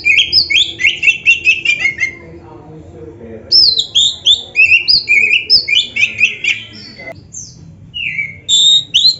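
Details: Oriental magpie-robin singing a long training song full of fill-in phrases: fast repeated whistled notes, a short break, then a varied stream of slurred chirps ending in a clear rising whistle.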